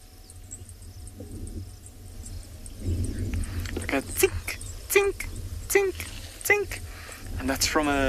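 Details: A Zitting Cisticola in South African grassland in late afternoon in early March, as the sun sinks and it cools, gives sharp, high metallic chinking 'zit' notes, about every three-quarters of a second, the display-flight sound, over a low engine rumble and brief voice.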